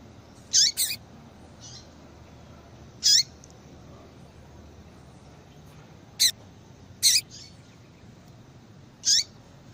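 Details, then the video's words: Calls of a female yellow-bellied seedeater, meant to make a male sing: high, piercing chips, one quick double, spaced irregularly over ten seconds, with faint softer notes and thin clicks between. "Esse Piado de Fêmea de Papa capim"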